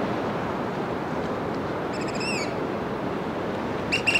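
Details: A Black Oystercatcher at its nest gives a faint arched whistle, then a burst of loud, sharp piping notes at the end, over steady crashing surf.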